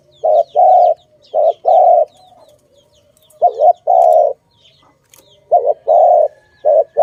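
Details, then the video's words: Dove from a bird-trapping recording, cooing in a loud low repeated phrase: a short double-pulsed note, then one long steady coo, given three times. Faint high chirps from other birds sound in the background. "Sound of good dove"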